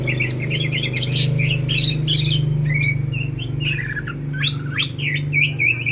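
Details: Greater green leafbird singing prolifically: a rapid, varied stream of sharp chirps and twittering notes over a steady low mechanical hum.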